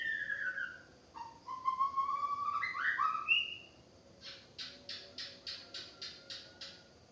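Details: White-rumped shama singing a varied run of clear whistled notes, some rising and some falling, followed by a rapid series of about eight short buzzy notes repeated at an even pace.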